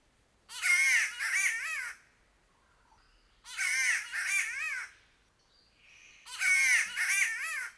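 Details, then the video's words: A Green Catbird in Queensland, Australia gives three harsh, nasal, cat-like wails, each about a second and a half long, spaced roughly three seconds apart, against quiet surroundings. "Call of the Green Catbird"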